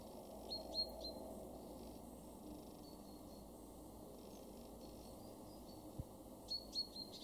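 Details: A great tit in a garden in Weener, East Frisia, northwest Germany, in August 2023 gives short, high chirping notes in two quick clusters, with softer notes between, over a steady low outdoor hum.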